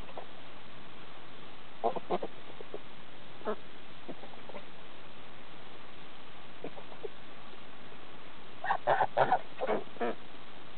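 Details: Geese on a farm in Lyndeboro, New Hampshire, giving short nasal honks, a few scattered calls early on, then a rapid cluster of several honks near the end, over a steady low hiss.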